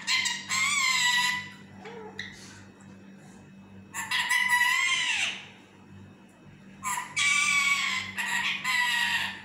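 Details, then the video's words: Sleepy pet parrot talking while trying to nap: three loud clusters of rough, harmonic syllables, one ending in a falling slur, with brief soft murmurs and quiet gaps between. "talking in his sleep"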